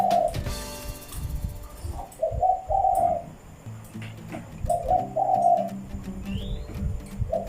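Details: Several captive Spotted Doves in a house cooing in response after a new bird is brought in: low, rolling coo phrases in spaced bursts from more than one direction, with clicks and knocks between them.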